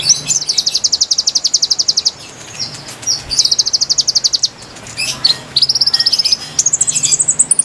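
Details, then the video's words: A konin song for luring wild birds, made of rapid machine-gun trills of sharp high notes. The bursts are broken by brief chatter and step upward in pitch, with a low background hum. "MASTERAN GACOR PIKAT KONIN KONIN LIAR"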